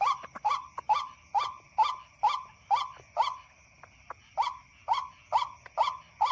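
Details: White-breasted waterhen calling at night in response to a played recording during a hunt. A steady series of single croaking notes comes roughly twice per second over faint, constant high-pitched tones.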